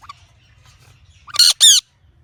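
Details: Ringneck parrot giving natural calls: two loud, harsh, harmonic squawks close together near the middle, after a faint short chirp at the start, over a low background hum.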